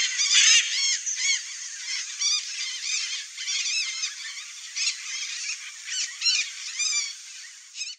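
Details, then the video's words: A nesting pair of Red-bellied Macaws (Orthopsittaca manilata) in breeding season, with several birds giving harsh, screechy squawks with rising and falling inflections in irregular bursts about every half second, calling over one another. "RED-BELLIED MACAW couple nesting (ORTHOPSITTACA MANILATUS), MARACANÃ-DO-BURITI"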